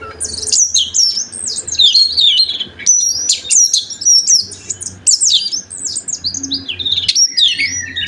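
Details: Lively full-variety song of an Oriental magpie-robin, played to prompt other birds of its kind to sing; dense run of high whistled sweeps, trills and chattering notes pouring out without pause over a soft low hum.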